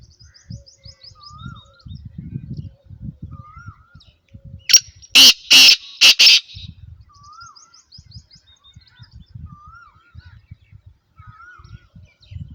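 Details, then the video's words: A black francolin gives one loud, harsh, grating burst of four or five rasping notes, with softer slurred whistles and high chirps from other birds before and after it. "Kala Teetar ki Awaz"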